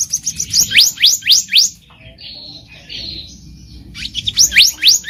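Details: Black-naped monarch in the wild giving a fast run of rising whistled notes, a pause with softer buzzy chatter, then the notes resume; meant as a lure for trapping.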